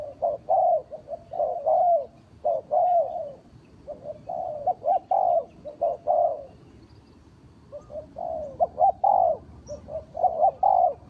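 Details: Trapping lure call of a spotted dove: repeated phrases of loud, rolling coos in short bursts, separated by pauses of a second or two, over a quiet background.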